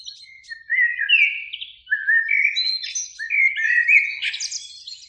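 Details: Eurasian blackbird in a spring beech tree near a lake at evening, one of a singing pair: unhurried, rising sequences of fluty warbled notes building into higher squeaky flourishes.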